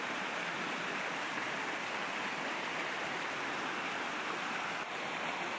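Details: Rushing mountain stream water fills the recording as a continuous broad hiss; no animal calls.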